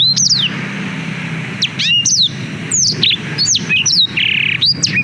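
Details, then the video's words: Black-throated canary, recorded with a GoPro Hero 5 for tutoring canaries: a lively phrase of high slurred whistles, quick chips and a brief buzzy note after a short pause, over soft low-pitched background noise. "Suara Blackthroat Durasi Panjang Untuk Masteran Kenari"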